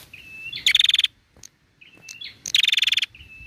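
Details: Female bar-winged prinia calling to stimulate males to sing: a thin whistled note followed by a loud, rapid, buzzy trill of about a dozen pulses, given twice with a short pause between.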